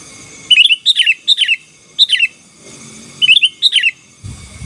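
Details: Sooty-headed bulbul singing in the chatty gacor style, used to dominate rival birds: short bubbly whistled phrases of three to four notes, repeated in bursts with brief pauses, over a faint steady tone.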